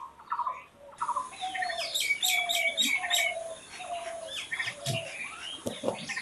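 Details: Wild birds chirping in nature: several birds overlap in a busy chorus of quick high twitters and trills, with lower steady whistled notes beneath and a few abrupt chips.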